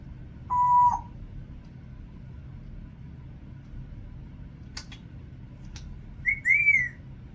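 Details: A 36-year-old female pet Congo African grey parrot, kept indoors, known for whistling and barking: a short flat clear whistle, then soft clicks after a pause, and a brief rising-falling whistle near the end in a quiet room.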